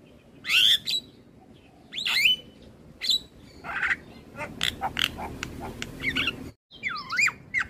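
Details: Master recording of an Asian pied starling for tutoring caged birds: loud swooping whistles and harsh squawks spaced a second or more apart, with softer chatter between and a short silent break near the end.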